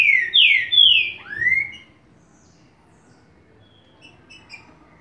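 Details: Green-winged saltator song, styles called Bacural and Bom dia seu Chico: three loud, rich downslurred whistles and one upswept whistle in about two seconds, followed by quiet with faint distant chirps.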